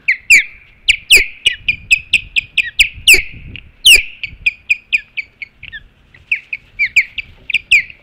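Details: Ospreys at a nest on Hog Island with an intruder present, recorded 20 April 2016 at 12:08; a rapid run of sharp, piercing chirps, roughly a dozen loud ones with softer notes between, some rustling beneath.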